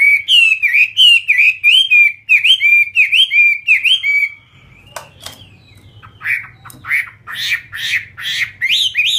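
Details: Chinese hwamei kept for fighting repeats a loud, bouncing whistled phrase about twice a second for four seconds, then, after a pause, gives sharper scattered notes and buzzy bursts.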